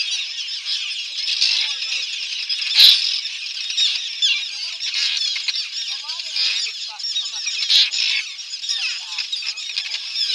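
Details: Common terns at a noisy, chaotic nesting colony on Ram Island during a 2015 nest census: a dense, continuous wash of overlapping harsh, high squawking calls from many birds, with occasional human voices.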